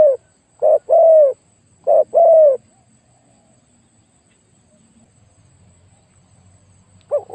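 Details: Spotted dove kept as a lure bird, said to have a very deep voice: two paired coo phrases, then several seconds of quiet before another coo begins.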